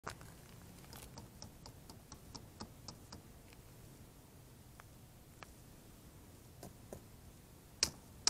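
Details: Scattered sharp ticks and clicks as ice is broken for animals, quiet between the knocks, with no animal sounds.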